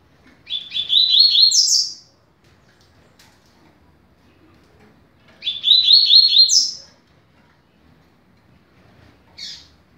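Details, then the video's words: 'Rápido de bico' style song of a double-collared seedeater used to teach young birds. Two brisk phrases of fast repeated notes, each ending in a higher buzzy flourish, with a faint short note near the end. "Canto para Ensinar Passarinho - Coleiro"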